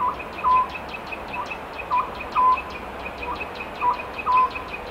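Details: Oriental scops owl calling in spring, said to foretell a bad harvest with two-beat calls and a rich one with three-beat calls; short hollow mid-pitched hoots in twos, repeated every second or so, over steady insect-like buzzing.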